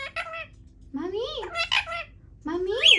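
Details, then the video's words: Pet Indian ringneck parakeet indoors, trying to talk: three bursts of harmonic, speech-like warbling with rising and falling pitch, separated by short pauses. "My parrot started trying to talk"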